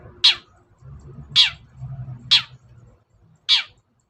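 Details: Lure sound of a long-tailed shrike for stirring silent birds to sing: four rasping, downward-sweeping shrieks at uneven one-second intervals, with low murmuring noise between them.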